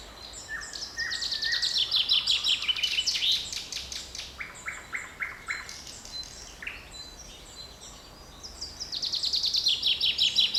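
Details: Forest birdsong recorded 7 May 2020, with several birds overlapping: high rapid trills rising and falling, clusters of sharp chirps, and a clear repeated series of mid-pitched whistles in the middle.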